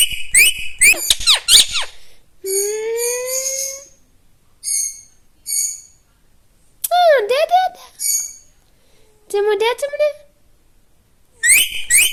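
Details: Talking pet parrot in a small room, giving bursts of squeaky, speech-like syllables, drawn-out rising warbled tones and swooping whistled notes, separated by short silences and ending in a fresh chattering burst.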